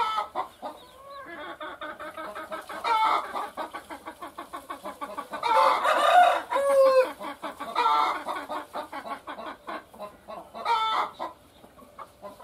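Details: Laying hen keeps up a rapid, rhythmic string of clucks, swelling several times into loud, drawn-out, harsh cackling cries before falling back to quick clucks.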